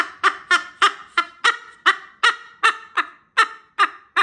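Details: Pet cockatoo greeting grandma, giving a quick run of about eleven harsh, laughing, honk-like notes, each sharp and evenly spaced around a third of a second apart.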